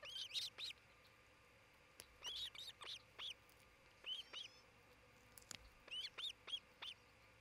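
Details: Osprey at its nest near Charlo, Montana, on June 27, 2018, around midday: repeated clusters of high, sharp whistled cheeps, three or four notes per burst, with short gaps between bursts and faint hiss behind.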